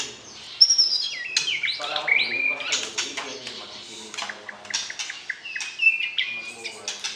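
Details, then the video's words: Caged white-rumped shama being paired for breeding, singing to arouse the opposite sex: a busy run of sharp chirps, clicks and short whistled notes that step between high and mid pitch, with brief gaps. "PERJODOHAN Murai Batu, PANCING Birahi Lawan Jenis , Agar siap Masuk kandang Ternak"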